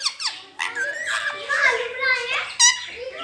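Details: Rose-ringed parakeet kept as a pet, speaking "Mian Mitthu Chori Khani Ha": a short, childlike, squeaky spoken phrase with gliding, voice-like tones and a sharp final note.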